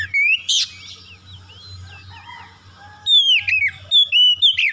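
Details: Oriental magpie-robin song used as a lure to provoke birds into aggressive singing: bursts of loud, sharp, rising and falling whistles at the start and end, with a quieter middle of soft warbled notes over a low hum.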